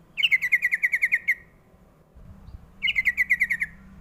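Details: Lure call of a young sooty-headed bulbul, meant to prompt young birds to answer: a fast run of about ten ringing chirps, a short pause, then a second run of seven, over faint low rumble.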